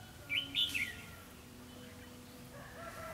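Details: Single quick warbled phrase from a red-whiskered bulbul decoy used for trapping wild birds, recorded 4 November 2016. It is a bright, rising then falling flourish, followed by quiet low hum and faint distant chirps.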